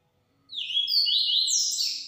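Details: Yellow-bellied seedeater singing in the 'transformado' style: a quick phrase of high, sweeping whistled notes that slide up and down, starting after a brief silence and continuing to the end, with a faint low hum beneath.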